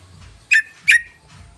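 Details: Yellow-vented bulbul lure call, meant to draw in other bulbuls: two sharp, bright notes about 0.4 seconds apart, each dropping in pitch, over a faint low rumble.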